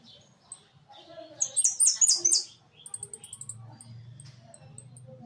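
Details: Hooded siskin kept in a large cage sings a burst of rapid, high, buzzy twitters, then a string of thin, evenly spaced high pips, with low background murmur underneath.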